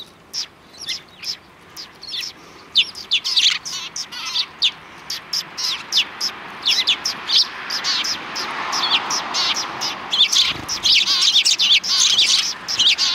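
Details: Sparrows on a road just before a Tenmangu shrine, recorded 13 December 2019: many short, sharp chirps and tweets, scattered at first and growing into a dense chattering chorus, with a faint background murmur and a brief passing vehicle-like rumble.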